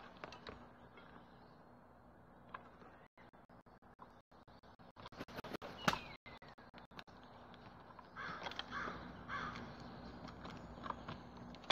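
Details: Crow 'kraa' vocalisation recorded on 3 March 2022: a loud harsh call near the middle of the clip, followed by rough, broad caw-like notes, over steady background hum and intermittent clicks.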